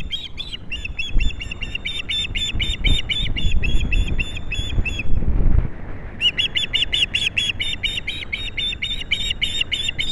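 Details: At a Captiva osprey nest on 22 January 2022, the male arrives with a big fish for the female. Fast runs of sharp, high, repeated chirps, broken by a brief gap filled with low rumbling noise, then more insistent chirping.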